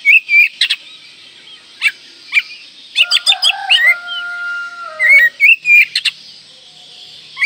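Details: Song of an Oriental magpie-robin full of varied mimicked phrases, aimed at stimulating breeding drive and upsetting rivals: scattered chirps and whistles, a steady held pure tone in the middle, then a lively whistled sequence.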